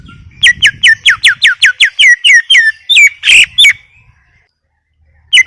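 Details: Greater green leafbird in steady gacor masteran song: a fast train of about a dozen ringing whistles, each sweeping downward, then one harsh buzzy burst, a pause, and a single closing whistle.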